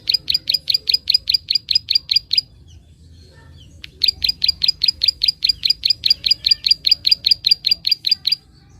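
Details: Rapid 'klik' clicking of a prinia, played to stir up untrained young birds: two bursts of crisp, high, evenly spaced clicks, about four per second, separated by a pause of under two seconds, over a quiet low rumble.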